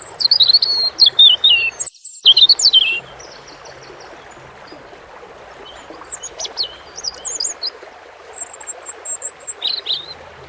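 A European robin sings high, thin, tumbling warbled phrases, loud at first and softer later, over a steady rush of flowing water.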